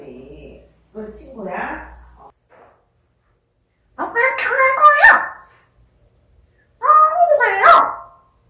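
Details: Speech mimicry from an African grey parrot: quiet muttered syllables first, then two loud, clear phrases with gliding, whistle-like harmonic tones about three seconds apart.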